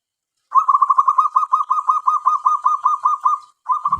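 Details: Tame local zebra dove, kept as a decoy for luring wild doves, giving a fast run of hooked cooing notes, about four per second, then a short pause and a fresh burst; a faint low thump at the end.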